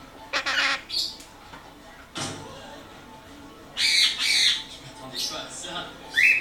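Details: Young pet blue-crowned conure calling indoors. Several harsh, broadband squawks come in short bursts, some doubled, separated by quiet gaps, with a faint rising screech at the end.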